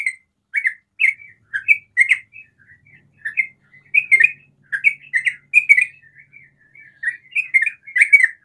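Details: Rapid 'ropel' song of a sooty-headed bulbul that goads other bulbuls into calling: clustered, jerky chirps and slurred warbles in uneven bursts over a faint low hum.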